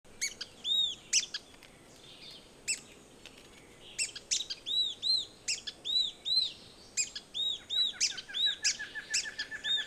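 Yellow-bellied Tyrannulet giving high, thin whistled notes, each briefly rising then falling, in quick bursts of two to five, with a few sharp clicks between.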